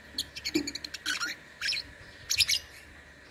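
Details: Lovebird in an online singing contest, from Singkawang, West Kalimantan, Indonesia: rapid strings of high, harsh chirps and rasping twitters in two dense bursts, over a steady background hum.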